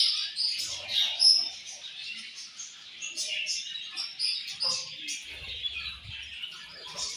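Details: Budgies chirping in a steady chatter of high twitters and brief sharp calls, one bright piping note early on, with quieter scattered calls later.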